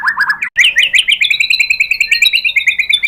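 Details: White-rumped shama song used as a lure, a dense fast chatter of rising whistled notes run together in a continuous rapid trill lasting about three seconds.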